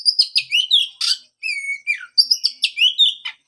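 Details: Song of an Oriental magpie-robin, played to stimulate a bird silent after moulting; rapid sweet whistles and slurred notes broken by harsh buzzy bursts, with two brief gaps between phrases.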